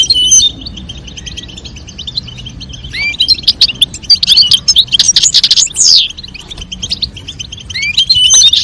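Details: European goldfinch pair, female calling and male singing to stimulate mating; soft twittering gives way to a loud, dense burst of tinkling trills and buzzy notes mid-way, then fades to quiet chirps before rising again.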